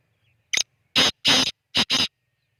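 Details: Black francolin call as a series of five harsh, rasping notes: a brief opening note, two long grating bursts, then a quick closing pair.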